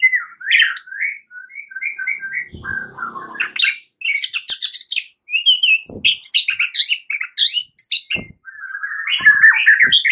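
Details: A White-rumped shama in the morning, singing as if in a contest, pours out a fast, varied song of clear whistles, rapid trills and harsh buzzy notes, with a few dull knocks in between.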